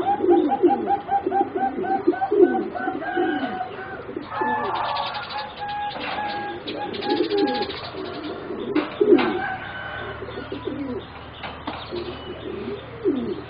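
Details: Four young singing zebra doves bred for competition, around 3.5 to 4 months old: a run of quick rolling coos at first, then mixed cooing under clattering and chirping sounds.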